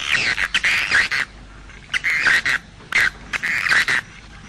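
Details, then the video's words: Edible-nest swiftlet, 'jaguar' style sound: short buzzy, raspy chirp bursts in clusters, separated by brief silent gaps, each burst a rolling twittering chatter. "SUARA WALET jaguar BURUNG WALET"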